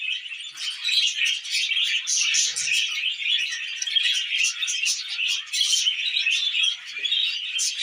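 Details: Tame pet budgerigars, several together, chatter while eating millet: a dense, continuous warble of scratchy chirps, squeaks and trills, unbroken for the whole stretch.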